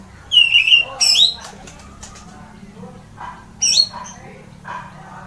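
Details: Orange-headed thrush singing loudly, meant to stir other birds into song: a falling whistled note, a rising slurred phrase, then quiet gaps before another high rising burst; steady low hum in the background.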